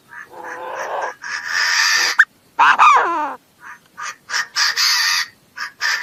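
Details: A Chinese francolin calls in long, coarse, buzzy bursts with a short, sliding, falling note between them, followed by a quicker series of rasping notes.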